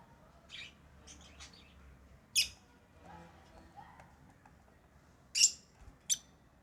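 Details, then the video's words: Lovebird giving sparse, sharp, high chirps, a few isolated notes with two louder squeaky bursts near the end, over a quiet background. "Love birds Sounds | lovebirds chirping sounds"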